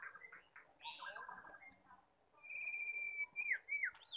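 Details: Female white-rumped shama voice used to provoke males to sing: a harsh buzzy burst, then chattering notes and a long, clear, level whistle ending in falling and rising slurred whistles, over steady background hiss.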